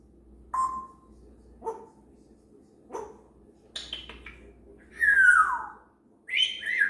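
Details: Pet female grey parrot chattering to herself and practicing sounds in the morning: short whistled notes and soft grunts spaced about a second apart, ending in louder falling squawky whistles.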